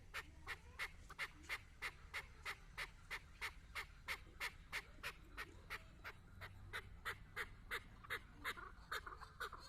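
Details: Chukar partridge kept as a hunting decoy, calling before a female bird: a long, steady series of sharp chuck notes, evenly spaced at roughly three per second and holding the same pitch throughout, over faint low background rumble.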